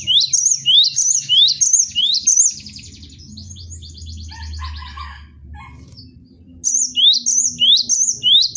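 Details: Cinereous tit, kept as a cage bird and used as a tutor recording: bright rising two-note whistles repeated rhythmically, broken by a softer, scratchy chattering passage before the loud repeated phrases return. A low hum runs beneath.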